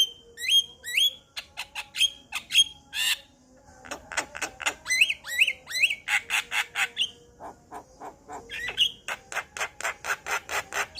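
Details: Male Javan myna song that is said to start other Javan mynas singing: long, energetic stream of rapid harsh clicks and rasps about two per second, mixed with shrill whistled upslurs, with a short pause midway.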